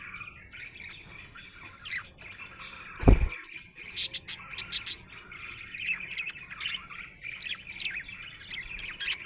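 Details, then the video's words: A happy budgerigar chirps and warbles throughout, broken once by a loud low thud near the third second, then resumes with busy clicking, squeaking chatter. "Happy budgie chirping sound"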